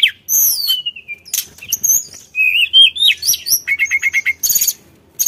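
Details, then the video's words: A mountain sulingan songbird, used to provoke other birds to sing, gives a lively, varied run of high whistles, sliding notes, quick chirps and a rapid repeated trill, delivered almost without pause. "BUNYI SULINGAN GACOR"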